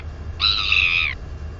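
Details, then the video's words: Northern royal albatross chick, a 218-day-old female, at the nest area, exercising her wings: a single clear, even squeal lasting under a second, rich in harmonics, over a low background rumble. "Royal Cam Albatross ~ Cutie Pie Atawhai At The Cam Again! Wingercising & Wheeing Away!"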